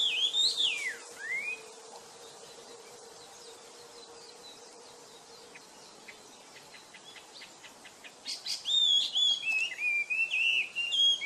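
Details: Wild wambi bird singing actively: loud, sweeping whistled phrases at the start, then a quiet stretch with a steady low hum and faint ticking, before rapid bright warbling notes return near the end.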